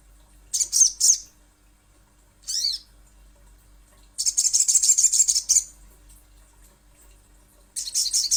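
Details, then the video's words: Little spiderhunter, from a lure track meant to make birds respond: short bursts of shrill, rapid chattering and one sharp descending note, then a longer rattling run of about a second and a half. "Pancingan Sogon ~ Sogok Ontong Pasti Bunyi"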